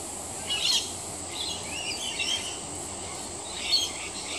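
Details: Several rainbow lorikeets bathing in roof gutters give harsh, broadband screeches in two short bursts, one early and one near the end, with quieter chatter between over steady background noise.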